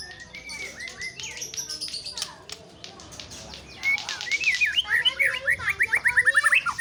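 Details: White-rumped shama singing after a stretch of rustling and fluttering noise: a fast run of sharp, repeated whistled notes that rise and fall, mixed with scratchy chatter, growing louder toward the end.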